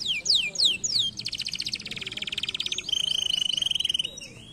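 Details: Singing canary, used to stimulate lazy canaries to sing: a run of high falling whistled swoops, a long buzzy dense trill, then a steady pure whistle with rapid pulsing trill notes.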